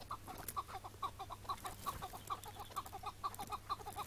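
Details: Chukar partridge on a May 2017 morning hunt, the caught bird later released; evenly repeated clucking chuck notes, roughly two per second, mid-pitched and rhythmic, with a soft low hum behind.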